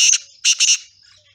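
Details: Harsh, scratchy song of a male black partridge: one short rasping burst, then a doubled burst, with no other clear sounds.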